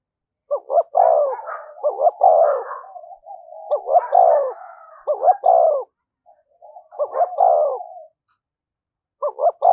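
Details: Spotted dove giving a methodical cooing series used as a lure to stir up wild doves: low hooting phrases of two short notes and a longer falling coo, repeated about four times, with softer trailing murmurs between.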